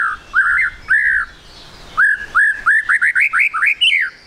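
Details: Lure recording of a white-rumped shama to make birds sing quickly: mellow whistled slurs, a pause, then an accelerating run of short rising whistles climbing higher toward the end.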